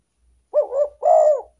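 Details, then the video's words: Lure call of a spotted dove meant to attract wild doves: one doubled coo, the first part wobbling and uneven, the second steadier and louder, against silence. "derkuku pikat paling ampuh"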